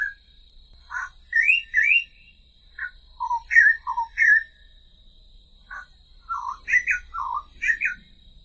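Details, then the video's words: Australian reed warbler (Acrocephalus australis) song, slowed down: rich, throaty phrases with each note given twice before switching, under a steady high-pitched whine. "Australian reed warbler (Acrocephalus australis)"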